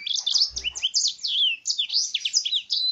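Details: Canary taught blackthroat song, singing a continuous rapid stream of high, swooping whistled notes and sharp down-slurred trills with hardly a pause; a brief low thump near the half-second mark.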